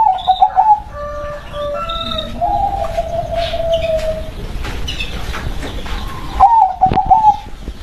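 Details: A local zebra dove gives short rolling, warbled coos at the start and again near the end. Between them come a long level coo-like tone and scattered higher chirps from other birds, over constant background noise.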